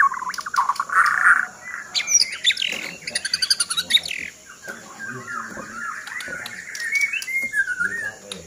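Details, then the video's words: White-rumped shama, called a fighter and shown in action: varied bright whistles and chirps, a rapid stuttering burst of clipped notes, then quieter warbled phrases and thin sliding whistles. "Murai Batu King Fighter"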